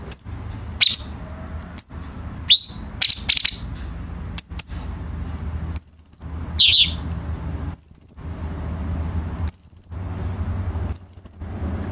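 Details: Tutor recording of a cucak cungkok bulbul for teaching caged songbirds. Piercing high whistled notes and quick slurred chirps come singly and in short clusters every second or so, with a faint low hum beneath.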